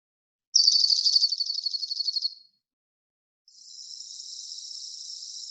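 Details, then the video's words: Two male dark-eyed juncos counter-singing in spring on Protection Island: a loud, rapid, evenly pulsed high trill, then a fainter, steadier trill answering. "this is two males counter singing you"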